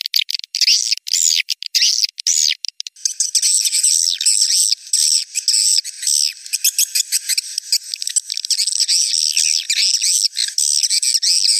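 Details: Swiftlet lure call meant to attract swiftlets, a few separate high twitters, then a continuous dense stream of rapid buzzy chirps and trills from three seconds on.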